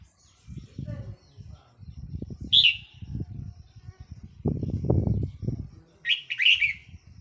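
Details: Recorded 4 May 2023, a red-whiskered bulbul decoy bird gives a single sharp note, then a fuller chirpy warbled phrase over three seconds later, amid intermittent low thumping noise.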